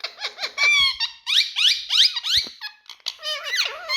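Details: Indian talking parrots, big males, producing loud, squeaky, speech-like vocalizations: sweeping rising and falling harmonic syllables packed closely together, with a few sharp clicks between phrases.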